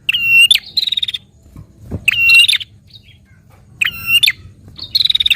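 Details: Prinia song played to stimulate a captive prinia to sing: loud harsh bursts with a steady whistled tone near the top, each followed by rapid buzzy trills, repeated about every two seconds over a faint low hum.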